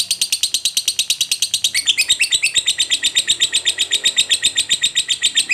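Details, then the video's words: Lovebird, described as a fighter type, giving a long fast trill meant to provoke other lovebirds: dense rapid chatter of high harsh notes, about four per second, continuous throughout with a slight shift midway. "Lovebird Ngekek Panjang PALING JITU Bikin Lovebird Lain EMOSI"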